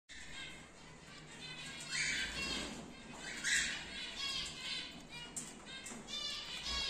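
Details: Colony of several breeding cockatiel pairs, with chicks out of the nest boxes, chatters together, with harsh, harmonic chirps and squawks rising above the din.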